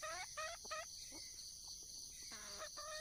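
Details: Wild junglefowl hen calling for a mate: a few short harmonic clucks, a quiet gap with faint distant notes, then a low dipping note and renewed clucking, over a constant shrill background drone.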